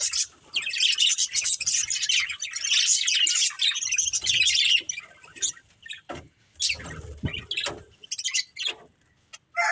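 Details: Breeding pair of pet budgerigars chirping: dense, scratchy warbling chatter high in pitch, running almost continuously for the first five seconds, then broken into short bursts and clicks with brief low thumps.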